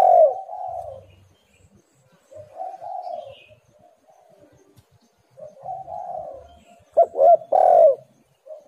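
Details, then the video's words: Spotted dove, used as a lure to make lazy birds call: low cooing notes around a steady pitch, some drawn out and some short with downward bends, in bursts separated by pauses. "tekukur super gacor Suara HAS pancingan untuk burung yang malas bunyi"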